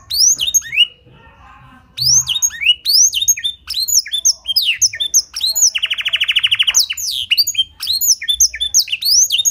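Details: Canary with Blackthroat-style song fill, a clear tutor and lure recording meant to set other canaries singing: rapid, varied phrases of steep downsweeping whistled notes, a brief pause near the start, and a fast buzzy trill midway.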